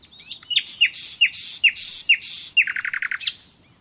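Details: Nightingale singing in the wild: a series of about six loud downslurred notes spaced half a second apart, followed by a rapid trill of repeated clicks and a final sharp note.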